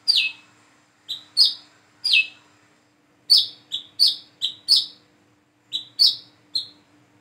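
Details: Plain-throated sunbird practising its song, a learner bird giving some fourteen shrill high chirps in loose groups of two to four, with brief silent gaps between groups.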